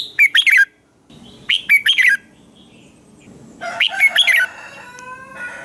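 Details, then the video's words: Morning song of a red-whiskered bulbul, a recording used for training other bulbuls: three short, lively phrases of clipped whistled notes about every one and a half seconds, with faint buzzy background sounds near the end. "Chào mào hót sáng hay"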